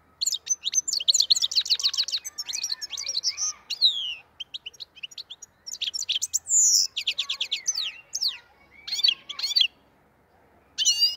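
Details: Black-headed goldfinch singing, linked to Andijan, Kuva and Fergana: fast, high twittering song in dense bursts of sharp chirps and short trills, with brief pauses and several downslurred whistles, no other clear sounds.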